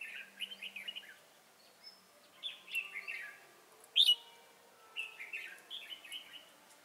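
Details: Decoy red-whiskered bulbul for trapping sings quiet, rolling warbled phrases of fluty slurred notes, broken by one sudden sharp, bright note midway, then another soft bubbling phrase, with steady low hiss behind.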